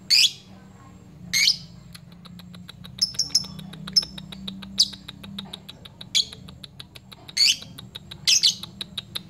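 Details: Ngepyak lovebird calling out an opponent and luring fighter lovebirds to sound off: rough, scratchy screeches every second or so over a fast, steady train of dry ticking clicks, with a faint low hum beneath.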